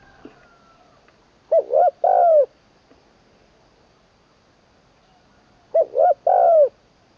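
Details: Spotted dove under decoy training, third session, voicing the 'long kuk wai' song style in a full middle tone. Two cooing phrases about four seconds apart, each two short hollow notes and a drawn-out falling coo, with faint clicks in between.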